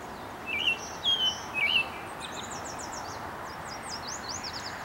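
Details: American robin singing in Huntington Central Park, Huntington Beach, Orange County, California, USA: three short warbled, slurred phrases in quick succession, followed by thin, high rapid chirps from other birds over a steady background hiss.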